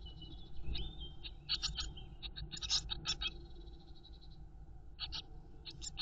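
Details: Blue tit nestlings in a nest box during feeding by the mother: scattered clusters of sharp, high, rasping begging notes, interspersed with a thin, steady whistled tone and short pauses, over low-frequency noise.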